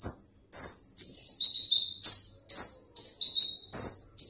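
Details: Captive Van Hasselt's sunbird, 'ringgit' type, delivering loud, ringing, high-pitched whistles in quick downward-sliding pairs, about eight notes in four seconds.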